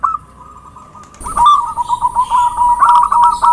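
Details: Zebra dove (perkutut) lure call: a faint trill, then a louder run of quick wavering coo notes with a high steady electronic whine in the background.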